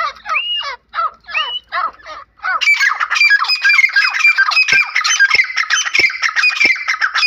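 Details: Grey francolin uttering a few separate rasping, rising squawks, then a dense, continuous outburst of loud, ringing, overlapping calls.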